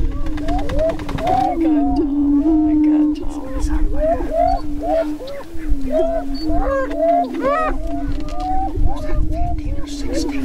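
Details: Greater prairie-chickens dancing on a spring lek near Crookston, northwest Minnesota, on 27 April 2013. A steady low boom drones throughout while many birds add short rising-falling whoops and sharp cackles, some louder bursts near the end.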